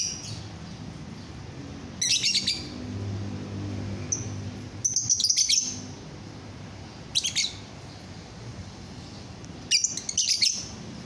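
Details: Lovebird giving short bursts of sharp, squeaky chirps, four clusters spaced a few seconds apart with quiet room hum between them, from a recording meant to get other lovebirds calling.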